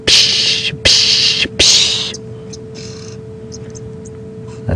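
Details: Red-billed Oxpeckers, including a young grey-billed one among seven or eight on an animal, give an alarm on a warm winter afternoon at Djuma Game Reserve, 6 August 2015: three harsh, hissing rasps over two seconds, with a low engine hum.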